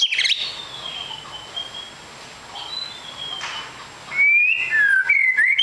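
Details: Caged white-rumped shama kept as a fighter bird, giving clear whistled phrases with a long sliding note early, then louder warbled rising and falling whistles near the end; faint background noise throughout.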